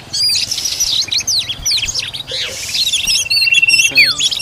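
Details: An Oriental magpie-robin feeds its chicks; dense loud twittering and rapid warbled chirps open the recording, followed by a long even whistle and a sweeping downward slur near the end.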